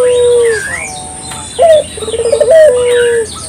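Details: Local puter dove used as a lure bird for morning, noon and night: a clear coo at a steady pitch, then a rolling burred phrase ending in a long falling coo, with small birds chirping behind.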